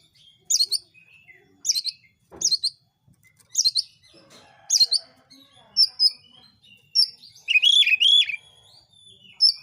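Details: Oriental magpie-robin song used to provoke other magpie-robins into singing: high, sharp chattering bursts repeated about every second, mixed with thin whistles and a busy, scratchy warbled stretch near the end.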